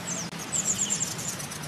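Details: Pygmy Bushtit (Javan), a tiny insect-eating bird of mountain forest, forest edges and plantations above 1000 m that moves in small groups, gives a quick run of five or six very high, thin ticking notes over a soft low hum.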